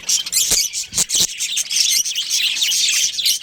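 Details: Budgerigars kept as a breeding pair within a colony give rapid, shrill chirps and scratchy chatter, broken early by a few sharp clicks or taps.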